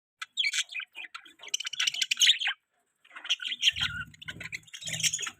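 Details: Budgerigar chirping: fast, scratchy warbled chatter in bursts, a short pause near three seconds, then more chattering with low knocking sounds underneath.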